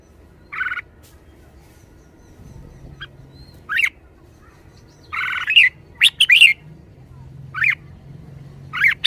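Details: Caged Red-whiskered bulbul in a lively mood, giving spaced buzzy notes and quick upward-sweeping chirps, then a denser burst of warbles near the middle and scattered chirps after, over faint low hum.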